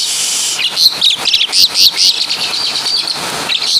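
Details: Javan-origin Asian pied starling delivering mimicked caladi and kapas tembak phrases: hissy high chatter at first, then a run of loud, clear whistled notes and squeaky chirps repeated in quick bursts.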